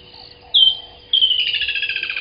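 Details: Woodland kingfisher singing at dawn, 05:29 on 18 December 2020, at Gowrie dam waterhole in Djuma Game Reserve, Sabi Sand Wildtuin, South Africa. A sharp, high whistled note is followed by a long, rapid trill that slowly descends, over a faint background chorus.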